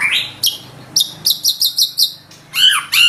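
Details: Loud song of a white-rumped shama: a rising whistle, then a quick series of about six sharp, evenly spaced high notes, ending with buzzy, downslurred phrases.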